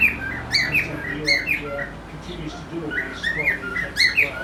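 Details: A male cockatiel courting his reflection in a mirror gives a rambling mating song of bright, rising and falling whistles and chirps.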